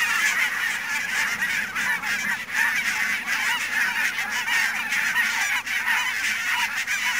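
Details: A foggy morning flock of barnacle geese at Niittylahti in Savonlinna, Finland, 2 October 2011, gives a continuous clamour of short, barking high-pitched honks layered thickly over one another throughout.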